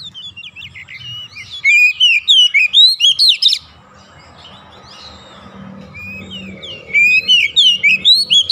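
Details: Song of a white-rumped shama used as therapy to make lazy shamas sing nonstop: quick sweeping whistles and sharp chirps, loud from two to three and a half seconds and again near the end, a hushed gap with soft hum between.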